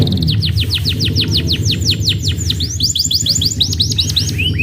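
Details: Canary trilling with evenly spaced, downward-swept notes that later speed into a quicker rolling series, heard over background music with a low, steady accompaniment.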